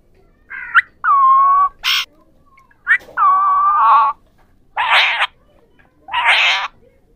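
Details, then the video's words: Three ringneck parrots, called Pahari parrots, trading sustained nasal, tonal calls with rough, grating screeches, about two calls per outburst and short silences between. "3 Ringneck Parrots Talking | Pahari Parrots"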